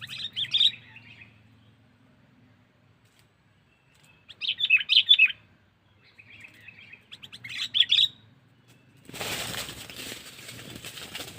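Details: Sooty-headed bulbul luring call in cengkeram style, meant to draw in wild birds: three separate bursts of harsh, rapid chattering with pauses between, followed by a loud rushing noise.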